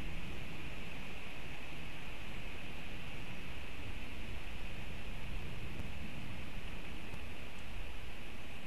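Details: Steady broadband hiss with a dense low rumble runs throughout, with no animal calls.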